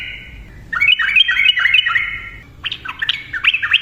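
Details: Yellow-vented bulbul in lively song meant to prompt silent birds to sing: a short whistle, then a quick run of bubbly, tumbling notes, a pause and another burst of chattered phrases.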